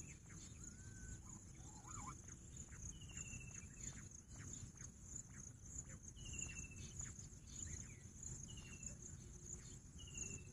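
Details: Thin downslurred whistles from a bush quail (Pahadi Bater), four clear notes a couple of seconds apart, plus a few lower short whistles early on. A continuous shrill insect drone and faint clicks sit behind them.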